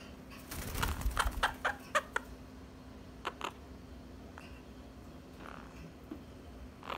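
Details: Pair of baby Quaker parrots kept as pets, pouncing and biting in play indoors, recorded with an iPhone 7 Plus: a quick burst of grating chattering notes over two seconds, then quiet with a few isolated clicks.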